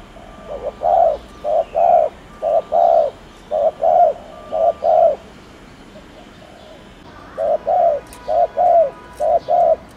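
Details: Spotted dove 'gù' cooing, fast-paced, meant to prompt doves to coo: a run of soft, mellow, low coos in close pairs, a quiet gap of about two seconds, then another quick run of similar coos.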